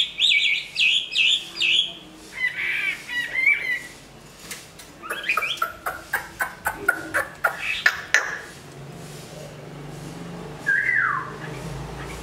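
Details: Chinese hwamei of large build, a good singer and fighter, in fresh moult; a quick series of bright whistled notes and a few warbled phrases. These are followed by a string of dry clicks and taps and a single falling whistle.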